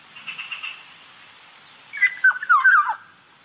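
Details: One clear phrase of slurred, downward-stepping flute-like whistles from a Black-naped oriole, under a second long, with a persistent high electronic whine.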